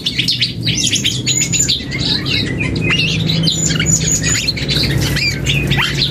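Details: Young black-and-yellow oriole practising song: dense scratchy twittering mixed with short whistles and a few clear rising slurs, delivered continuously over a low droning hum.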